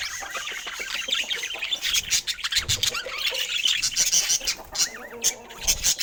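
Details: A flock of rare budgerigars in natural Scandinavian light gives a busy mix of high chirps, scratchy squawks and wavering warbled notes, growing denser midway, with some soft wing or cage noise and no music or speech.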